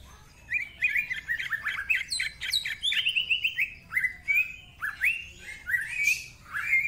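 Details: Greater green leafbird, a lively singing male used as a master tutor, pours out varied rapid phrases: quick whistled notes, buzzy slurs and chattering trills, mostly high-pitched, in an unbroken rush.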